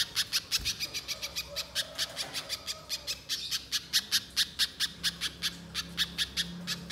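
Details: Spiderhunter lure recording meant to make birds sing: continuous harsh, scratchy chip notes repeated quickly in a steady stream throughout, with a faint low hum underneath.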